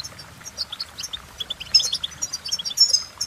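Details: European goldfinch singing: a rapid, bright twitter of short high notes and tinkling trills, with loudest bursts in the second half, over faint low background noise.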